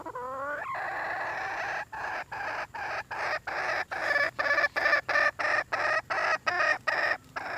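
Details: Red junglefowl hen calling for a mate: a brief rising squeal, then a long, loud train of harsh, nasal notes repeated almost three times a second, steady and insistent throughout.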